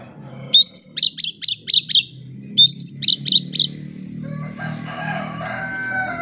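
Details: Oriental magpie-robin singing to provoke silent birds into song: two phrases, each a rising whistle followed by five or six sharp repeated notes, then a rushing noisy background.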